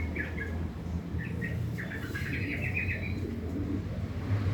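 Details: Sooty-headed bulbul, a cared-for bird, giving its harsh chattering morning song: two quick chirps, a brief pause, then a fast rattling run of rough notes lasting about a second, against low background hum.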